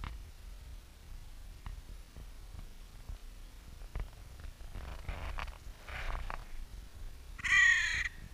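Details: Crows in Clara Park in spring, sound in mild slow motion: faint rasping notes, then one loud, harsh, hoarse caw near the end, over a steady low rumble.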